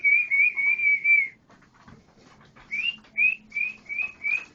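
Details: Canary singing clear whistled notes, first a run of five smooth even whistles, then after a pause a series of five rising whistles spaced about half a second apart, over a faint low hum.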